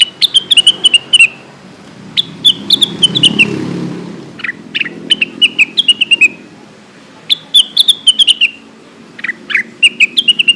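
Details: Lesser green leafbird calling companions, played as a lure: loud, repeated bursts of sweet high whistles sliding down the scale, interspersed with short double chirps, phrases coming every second or two, with a low murmur behind.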